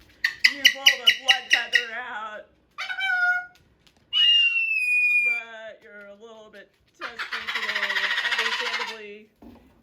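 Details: Indoor pet male Moluccan cockatoo, busy with a new box and toy truck, opens with a quick pulsed rattle, adds whistled and squawked notes, then lets out a long harsh full-volume scream; a woman's voice is faintly present.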